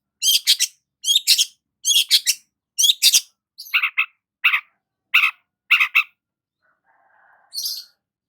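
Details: Long-tailed shrike singing while sunbathing in the morning: harsh, buzzy chattering bursts in quick pairs, then single sharper notes spaced about half a second apart, ending with a faint low warble and a short high note.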